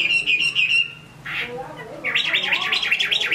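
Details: Chinese hwamei singing in Hải Phòng, Vietnam: a steady whistled phrase, a short harsh note, then a rapid warbling series of wavering whistles rising and falling several times a second.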